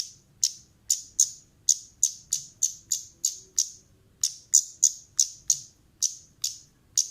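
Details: Sharp, high, metallic chips from a female orange-headed thrush used as a lure, repeated steadily about three times a second with one short break midway.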